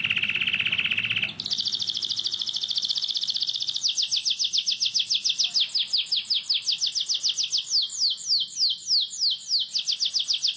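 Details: Canary giving a long rolling song meant to teach young canaries: a low rapid trill jumps to a very high dense roll, then breaks into quick repeated descending whistled notes.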